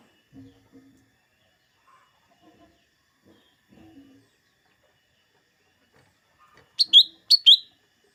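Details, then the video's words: Lesser green leafbird, played to rouse green leafbirds before singing contests: a few faint low clicks, then two loud, sharp two-note chirps near the end, each a high note dropping to a slightly lower one. "Suara burung cucak ijo mini atau cucak daun"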